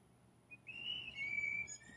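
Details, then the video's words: Blue jay mating call, several jays competing for one female; a clear whistled note, sliding slightly down, held for about one second, with a faint higher overtone and a quiet room-like background. "Listen To The Blue Jay's Mating Call"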